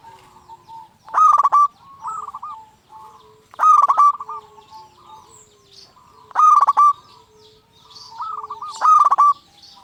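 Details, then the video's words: Energetic local zebra dove, its song meant to provoke other zebra doves to answer. Four loud, buzzy staccato coo-trills come roughly every two and a half seconds, each followed by a softer rippling phrase, with faint chirps behind. "Perkutut Lokal Gacor RAJA PIKAT Ahlinya Bikin Semua Burung Perkutut Gacor Nyaut."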